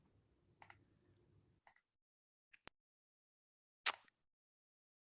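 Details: Near silence with a few scattered clicks, a faint low hum at the start, and one sharp tap.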